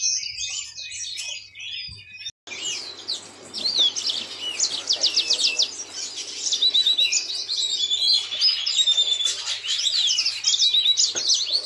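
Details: Yellow-fronted canary song, a finch prized as a pet songbird: a quieter twittering opening, a brief pause, then loud rapid chattering trills and sharp whistled slurs, about three to four notes per second, with faint background hum.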